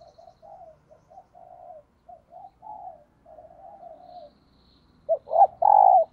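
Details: Decoy spotted dove cooing in the morning to lure wild doves; a run of soft, low, even coos ends in a loud three-part phrase of throaty coos.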